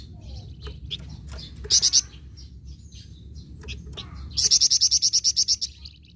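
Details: Flamboyan bird singing vigorously: a short burst of sharp high notes, then a longer run of about twelve evenly spaced piercing chips, with soft twittering calls and low background noise between.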